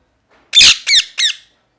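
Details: Parrot giving three harsh, rasping squawks in quick succession, each a loud broadband burst with a slightly bent, descending tone, then silence.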